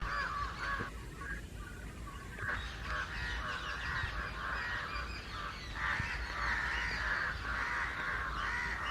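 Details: A mixed flock of house crows and jungle crows cawing loudly together against someone, calls kept up constantly for over an hour; dense overlapping harsh caws in bursts, roughly two per second, with a steady low background rumble.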